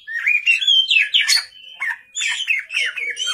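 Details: Night-time Oriental magpie-robin song in short bursts of rising whistles and harsh squeaky notes, with a brief lull midway.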